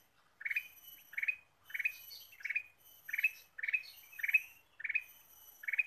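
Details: Bird lure recording of a Ruby-throated bulbul in busy gacor song: quick repeated chirp phrases, about nine in six seconds, each a burry cluster sometimes followed by a higher thin note, background otherwise clean.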